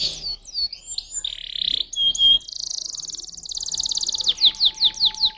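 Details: Canary song moving through varied phrases: high whistled slurs, a dense buzzy roll, a long fast rattling trill, then a string of sharp descending notes repeated about three times a second.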